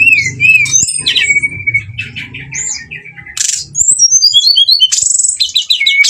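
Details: Brown-chested jungle flycatcher lure song intended to trigger fighting: clear whistles and a sustained tone over a faint low hum, then buzzy bursts and fast chattering phrases of rising and falling notes.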